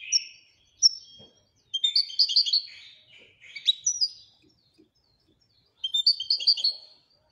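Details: Moroccan European goldfinch singing in the Widaniya song style: bright twittering phrases of rapid high notes with short whistles between, in bursts separated by brief pauses.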